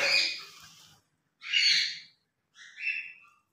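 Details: Pet grey parrot voicing three separate harsh, speech-like bursts, the last thinner and more whistled, with clean silences between, during morning play.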